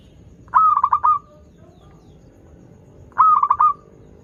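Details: Local zebra dove cooing, used to coax doves that are learning to sing. Two phrases come about two and a half seconds apart, each a fast run of short mellow notes ending in a held coo. A faint low hum lies underneath.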